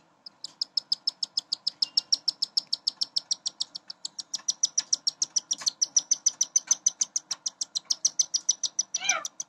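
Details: Cockatiel chicks about 15 days old, four of them, beg for food with rapid, high, raspy chirps repeated several times a second as their mother, from a first-time breeding pet pair, feeds them.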